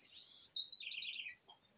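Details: A bird gives a brief buzzy trill that slides down in pitch over a steady, piercing high-pitched drone.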